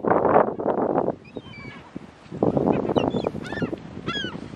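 Herring gulls squabbling: harsh, honking cries and rapid yelping notes, loud for the first second, then broken bursts with higher squealing calls near the end.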